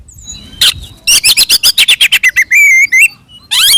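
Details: Oriental magpie-robin delivering an aggressive, full fighting song used as a provocation lure, a rapid, evenly spaced string of about a dozen harsh clipped notes, then a wavering whistled phrase and a final rising burst.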